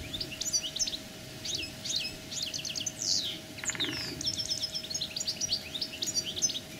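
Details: More distant common linnet song asserting a territory, a thin continuous twittering of quick high notes, heard over noticeable background noise and a low hum.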